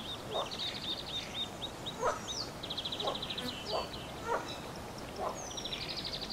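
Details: Wild mallard with ducklings on the Nezhegol River, Shebekino district, Belgorod region, Russia, bathing and preening feathers; short harsh calls repeat roughly once a second, while small birds trill and chirp at high pitch in the background.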